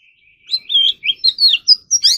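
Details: Oriental magpie-robin doing morning voice practice, competition-style song: a low steady whistle followed by a lively series of short swooping whistled notes that climb higher toward the end.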